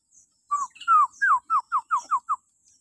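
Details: Common hill myna calling shrilly in the morning, a recording meant to train captive birds: about eight clear descending whistled notes that quicken and shorten toward the end.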